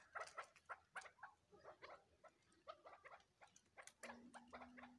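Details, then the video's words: Crossbred chukar chicks chirping in short, clipped notes, scattered and overlapping; toward the end a steady low mechanical tone joins the calls. "کراس چکور کے بچے"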